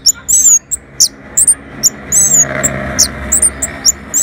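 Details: Orange-headed thrush singing in answer to a lure: very high, thin, slurred whistles and short sharp notes in quick succession over a faint murmur.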